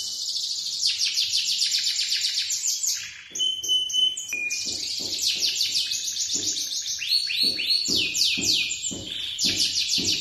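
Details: Male lemon-coloured canary singing a long, continuous run of rapid high trills and rolling phrases, broken midway by a few thin, level whistled notes before the fast trilling resumes.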